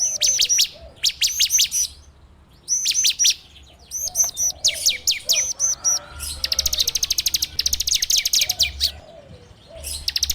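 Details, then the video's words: Bar-winged prinia in full ngebrem song, meant as a lure for training birds, recorded by Android phone. Clusters of bright high chirps alternate with long runs of fast, evenly spaced piercing notes. Faint lower sounds sit underneath. "PANCINGAN SUARA CIBLEK TERBAIK FULL NGEBREM RAPETT"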